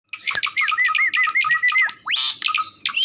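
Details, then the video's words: Javan pied starling giving an odd call: a steady series of short arched whistled notes repeated quickly, then a harsher rising squawk and a few brief notes at the end. "suara aneh jalak suren"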